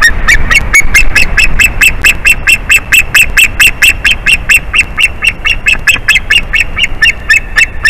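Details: Rapid, even series of high, clipped yelps from an adult male white-tailed eagle at his nest, about two notes each second for the whole stretch, called as his mate comes back in April 2021.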